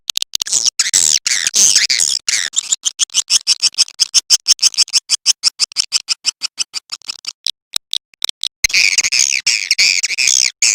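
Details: Edible-nest swiftlet lure call played to attract swiftlets: a dense stream of harsh, high, buzzy chirps pulsing rapidly at about three per second, briefly pausing, then resuming as a continuous rasping chatter.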